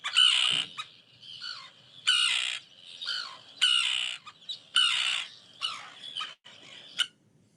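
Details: Common tern, a beach-nesting bird in Connecticut that nests in small numbers within least tern colonies and arrives in spring, gives harsh, grating "kia" or "kee-arr" calls: six or so high, rasping, downslurred bursts about a second apart.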